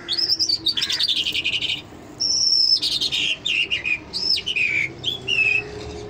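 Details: Mashadi Jal lark sings non-stop: a fast, varied run of high whistles, buzzy trills and sweeping rising and falling notes, with a faint steady hum behind.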